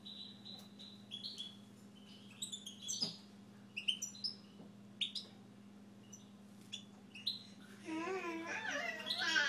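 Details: A kept Siberian goldfinch sings sparse, thin twittering notes and short bright chirps spaced irregularly over a steady low hum. The song ends with a louder, wavering burst of sound.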